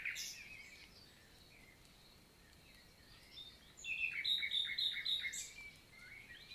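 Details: Common nightingale morning song, Célé valley, Lot, France, 11 June 2023; a sharp high opening note, soft distant phrases, then a loud run of evenly repeated down-slurred notes.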